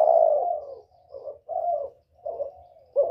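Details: Spotted dove, whistle-voiced northern style, calling to draw wild doves: a long smooth low hoot followed by three shorter mellow coos with brief gaps, the last starting abruptly.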